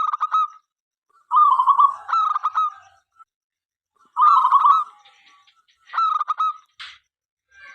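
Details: Local zebra dove, a lively singer whose song invites other doves to call and perform. Rolling, stuttering coos with a buzzy trill, given in separated phrases across several seconds with short silent gaps.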